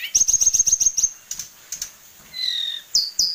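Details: A tame caged sulingan gunung, the Hill Blue Flycatcher, kept for its wide song repertoire. A quick series of about eight sharp high chirps comes first, then a pause, a descending whistled note and two bright upslurred whistles.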